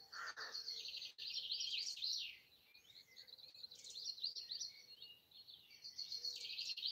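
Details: Wild birds singing at dawn on Easter Sunday 2020 in trees beside a house in Broadford, Kildare, Ireland; high, rapid twittering and warbled phrases tumble continuously, with a lower short note early on and faint background chirps.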